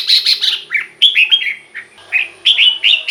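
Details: Caged red-whiskered bulbul singing, the recording serving to excite other birds or act as a decoy: clear whistled notes sliding downward in quick, separate phrases, opening with a short bubbling flourish.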